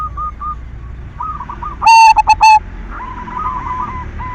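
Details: Lure song of a silver-variety zebra dove used to stimulate breeding-driven singing in others: one loud burst of stuttering coos ending in a held note, surrounded by quieter rolling coos from other doves.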